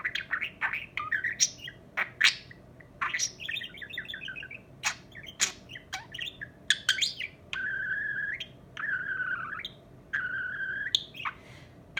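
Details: A male pet budgerigar that has learned a few phrases chatters in quick warbles, clicks and squeaks, with drawn-out nasal tones mimicking speech.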